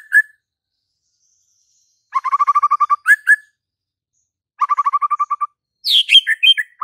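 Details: Singing White-rumped shama: isolated whistles, then two quick trains of repeated notes separated by silence, finishing with a high, descending cascade of varied whistled notes.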